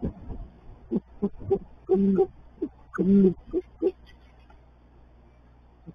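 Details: A Great Horned Owl, one of a mated pair (male and female) raising a young, still-blind owlet in March, gives deep, soft hoots: a few quick short notes, two longer drawn-out hoots a second apart, then a final short pair.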